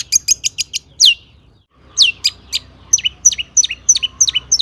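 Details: Cendet, a long-tailed shrike, in energetic mimicry-rich song meant to provoke other shrikes into singing: quick run of short chips, a silent gap, then sharp descending whistles repeated roughly twice a second.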